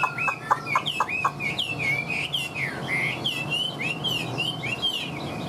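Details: Caged Chinese hwamei kept over two years, filmed singing for sale: loud, varied whistled phrases of rising and falling slurs, some short clicks early on, over steady background noise.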